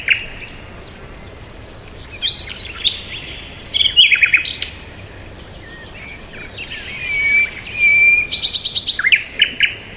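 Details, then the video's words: Birds chirping outdoors: bursts of high, bright twittering notes with rapid trills and a long, level whistle, separated by quiet stretches of soft background hiss. "Birds Sound | bird chirping sound | Peaceful Bird Sound"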